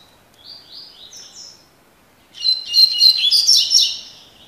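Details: Spirited Double-collared seedeater in tui tui (tocó) style: a few soft rising whistled notes, a short pause, then a loud rapid run of sharp chirping and buzzy high notes lasting about two seconds.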